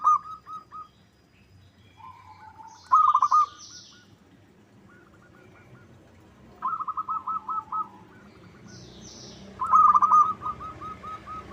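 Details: Local zebra dove lure call intended to make other birds sing in reply: repeated bursts of fast, pulsed cooing, some loud and some softer, spread across the recording with scattered high bird chirps.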